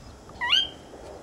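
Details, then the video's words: Sora giving a single quick whistled call that sweeps sharply upward and ends on a short high note, over a quiet, slightly hissy background. "Marouette de Caroline/Sora"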